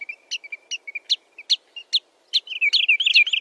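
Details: Clean recording of a sandpiper: spaced sharp high chirps, each paired with a softer lower whistle, about three a second, then bursting into a dense excited trill of clipped notes at the end.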